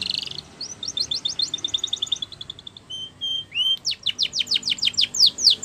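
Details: Spanish Timbrado canary song for training: a short buzzy burst, rapid thin chattering notes, steady whistled tones, then quick repeated high downward-swept whistles growing louder.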